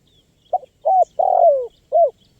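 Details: Single phrase of a spotted dove in active voice, used as a lure for wild birds: a brief low note, a smooth coo, a long downward-gliding coo, and a short final coo, with faint high chirps behind.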